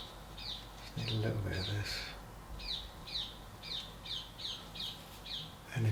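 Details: A green parakeet heard outdoors on a muggy day repeats harsh, high, scratchy squawks about twice a second, over a low hum, faint scraping and a man's voice.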